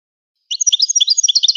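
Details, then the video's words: A single phrase of Moroccan goldfinch song after brief silence: a second of rapid, lilting high chirps and liquid twitters, evenly paced and clear. "أفضل تغريد الحسون المراكشي"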